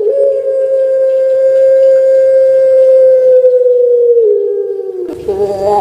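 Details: A kept puter pelung dove, a bird the keepers call famous in Indonesia, especially Java, giving a long melodious cooing: a single steady, hum-like note held about four seconds, sliding slightly lower, then breaking into a rougher, wavering ending.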